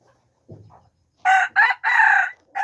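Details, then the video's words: Red junglefowl crowing, recorded 13 September 2021: after a soft low rustle, a loud harsh crow in three choppy bursts, with a fourth phrase beginning at the end. "red jungle fowl| qaib qus txuam 2 qua zoo"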